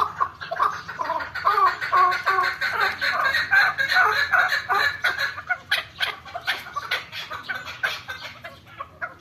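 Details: Farm-kept chukar partridge; a loud, rapid series of clucking, chattering notes that build into a rhythmic run of repeated chuk phrases about two and a half per second, fading toward the end.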